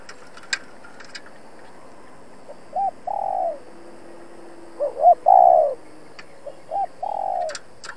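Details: Spotted dove decoy provoking wild males, used in trapping: short hooting notes leading into long, slightly falling coos in three grouped phrases, with faint clicks and a quiet background.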